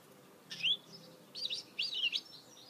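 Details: Goldfinch hybrid (mule) singing: three quick bursts of high, twittering, warbled notes with rapid up-and-down slurs, separated by short pauses over a quiet background.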